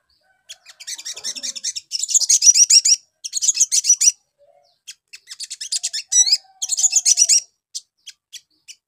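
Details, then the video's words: Ruby-cheeked sunbird song used as a lure to make young birds answer quickly: dense bursts of high, rapid, scratchy twittering chirps in several phrases, with short pauses between and a faint low whistle beneath. "PANCINGAN SOGON BAHAN CEPAT NYAUT"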